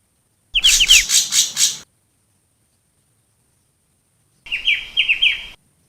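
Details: Long-tailed shrike song used as a lure call, from Java, Indonesia: first a loud harsh chatter of about five rasping pulses over a few sharp chirps, then after a long pause a phrase of rapid downslurred whistles.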